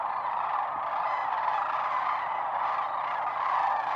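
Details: Massive wintering flock of sandhill cranes at Whitewater Draw Wildlife Area, Arizona. A steady roaring wall of countless overlapping calls, no single bird standing out, even in loudness throughout.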